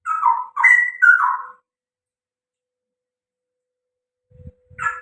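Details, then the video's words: Cucak rowo, the straw-headed bulbul, giving a brief rich bubbling phrase of three slurred warbles, then a long silence with a few low thumps and one more short note at the end. "burung cucak rowo gacor"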